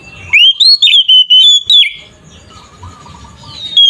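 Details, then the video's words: Ngeplong-style fighting song of an Oriental magpie-robin, meant to stir other magpie-robins: one loud rapid run of rising, ringing whistles, then quiet with faint distant whistled notes. "Suara burung Kacer ngeplong"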